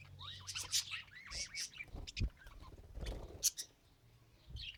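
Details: Pet budgie trying to talk, mixing sliding swooping whistles with sharp high chirps and clicks, then quieter near the end; a low thud sounds in the middle.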